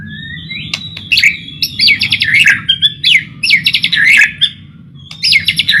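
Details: {'text': 'White-rumped shama song meant to lure shamas to sing: a rising whistle opens into fast, rattling, trilled phrases that come in short bursts over a steady low hum.'}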